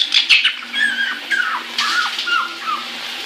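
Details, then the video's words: Pet caique singing in the shower: squeaky chatter and short downward-sliding whistles under a strong hiss of running water. "Caique Shower Song"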